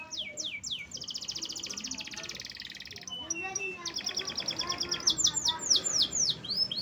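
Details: Canary in full song: a few high falling sweeps, then a long, rapid buzzy trill held for about two seconds, followed by choppy notes and a run of bright, steeply falling whistles. Faint background voices.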